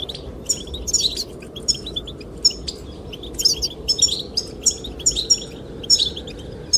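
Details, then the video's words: Goldfinches sing to attract the female with crisp, high twittering chirps delivered in regular clusters roughly every half second, wind blowing softly throughout. "the chirping of goldfinches"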